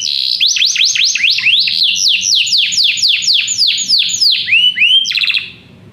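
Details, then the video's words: Many canaries singing after hearing music deliver a chain of looping sweeps, about three or four per second, ending in a quick rattle before fading out. "muitos canários cantam junto depois de ouvir essa música"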